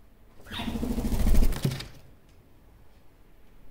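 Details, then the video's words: One-year-old pet Superb parrot (Barraband parakeet) talking to himself at a mirror, a quick downslurred whistle then a low, rapid grating chatter about a second and a half before falling quiet. "Barraband parakeet sounds"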